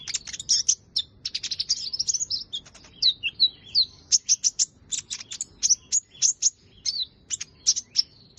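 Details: Rapid, high-pitched twittering from a purple-throated sunbird: a dense stream of short, sharp chirps and tiny slurred notes, several per second, loud chirp sequence with little background noise.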